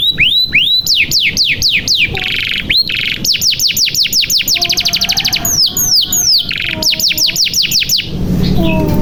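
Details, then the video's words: Varied canary song for coaxing a silent canary into full song: swooping down-slurred whistles, a very fast rattling trill, buzzy passages and a few faint low tones near the end. "SUARA KENARI GACOR • Pancingan Kenari Macet Bunyi Supaya Gacor • Membuat Kenari Paud Cepat Bunyi"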